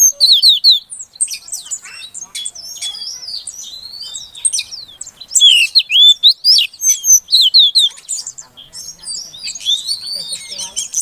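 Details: Oriental magpie-robin female, used to lure a male that has stopped singing, gives a long busy run of high twisting whistles and sharp chirps, loud bursts repeated about twice a second with brief pauses.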